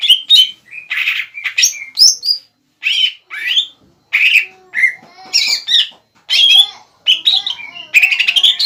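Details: Cucak ijo (Greater green leafbird), an untrained bahan bird, in full gacor song meant to rile a rival leafbird into replying: varied whistles, harsh chatters and rising slurs follow one another in quick phrases with brief pauses.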